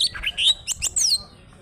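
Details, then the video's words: Greater green leafbird, an original bird from Alas Purwo, Banyuwangi, singing in trok-bul style with tail opened, gives a quick run of sharp, high chirps and a bright downslurred whistle, then goes quiet. "ORIGINAL ALASPURWO BANYUWANGI,POWER FIHGTER MENTAL BAJA,NGENTROK NJAMBUL GAK ADA ABISNYA"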